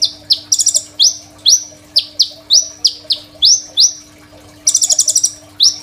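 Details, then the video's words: Crimson sunbird song for tutoring other songbirds, recorded on a phone: brisk run of high upswept chips about two per second, with quick buzzy trills near the start and end. "KOLIBRI NINJA GACOR FULL ISIAN SUPER MEWAH, 100% COCOK BUAT MASTERAN KONIN BAHAN"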